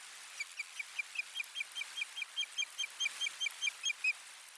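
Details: Osprey calling from its nest, 1 May 2020, as soft lining is brought in: a continuous chain of about twenty short whistled chirps, fairly regular, over steady wind-like hiss.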